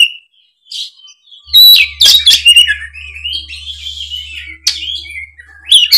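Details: Oriental magpie-robin singing in the bold 'gacor ngeplong' style, a lure for juvenile spotted kacer; it opens with a thin high note, then a burst of harsh notes and varied whistles that slide down, over a faint low hum.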